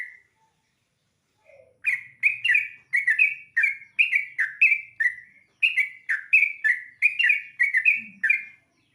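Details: Sooty-headed bulbul singing at dawn, given dried-rice therapy. A near-continuous cascade of bright hooked chirps runs for several seconds at a steady lively pace, with a faint low rumble and a short lower note in the background.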